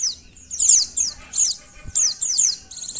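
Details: White-eye (pleci) sounds from Indonesia, used to test birds' mental state, emotion and arousal: sharp, high descending chirps given in short bursts roughly every half second, with brief quiet gaps between them.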